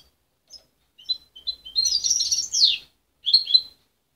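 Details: A juvenile goldfinch hybrid, raised by its mother and separated at 23 days, still practising its song. Scattered high chips lead into a tight burst of tinkling twitters with a descending slurred note, then a final short trilled phrase.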